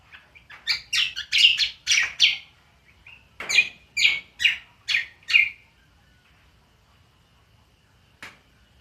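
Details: Green magpie (cucak kombo) singing in ngriwik style: a quick run of about a dozen bright, harsh chirps over roughly five seconds, then near silence with one final faint note.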